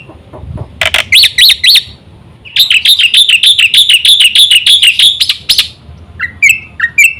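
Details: Black-winged myna singing to lure other mynas: a few separate chirps, a brief quiet gap, then a long rapid series of bright repeated chirps about three a second, ending with short upward whistles.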